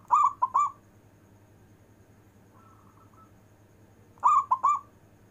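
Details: Local zebra dove, a caged songbird, singing with long breath, used to draw out lazy zebra doves: two bursts of soft trilled, cooing phrases about four seconds apart, a faint cooing note between, over low steady hum.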